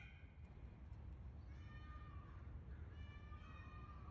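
A male Indian peafowl gives two loud, nasal, cat-like wails about a second and a half apart, over a heavy low rumble of wind or handling noise.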